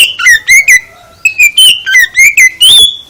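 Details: Oriental magpie-robin song played to provoke a caged bird into answering: loud, clear whistled notes sliding up and down, in two bursts of quick phrases with a pause between, ending on a long rising whistle.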